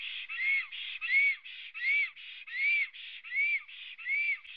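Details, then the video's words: Black stork in Latvia arriving at its nest and calling, filmed by a nest webcam on the morning of 23 June 2017; clear arched, whistled notes repeated steadily about every three-quarters of a second, with a buzzy mid-pitched tone between them. "Melnais Starkis ~Ozols arrives and sings~"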